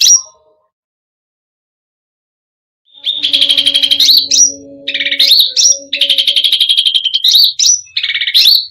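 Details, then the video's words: Cucak rante in full, varied song meant to provoke other birds: after a brief high note and over two seconds of quiet, rapid buzzy chattering trills alternate with sharp upslurred whistles, over a steady low hum. "Cucak Rante full isian gacor || bikin emosi burung lain"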